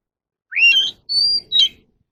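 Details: Captive Oriental magpie-robin song fragment from a voice-training recording: a rising whistle, a steady high held note, then a short sharp final note. The background is quiet.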